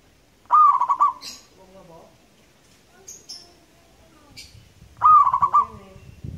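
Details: Indonesian local zebra dove, a loud long singer, delivers two rapid trilled coo phrases about four and a half seconds apart; soft low murmurs and scattered high chirps fill the gap.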